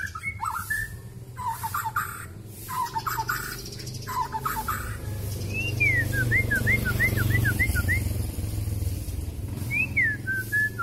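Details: {'text': 'Long-tailed Kalimantan white-rumped shama in full mimicking song: repeated short whistled notes at first, then a fast zigzag run of rising and falling whistles, over a steady low hum.'}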